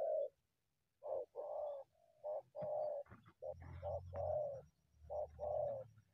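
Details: Wild spotted dove emerging from scrub to confront a decoy; a run of hollow, mellow coos in short-long pairs, with a low rumbling background noise partway through.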